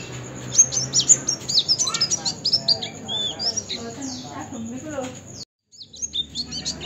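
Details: Oriental white-eye song as a training tutor: fast, high, scratchy twittering and short whistles, about two notes per second at its steadiest. A short silence is followed by more chirping.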